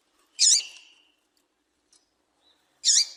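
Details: Calling female double-collared seedeater, a piado meant to excite males into singing: two sharp, buzzy, high-pitched notes around two and a half seconds apart, with faint ticks in between.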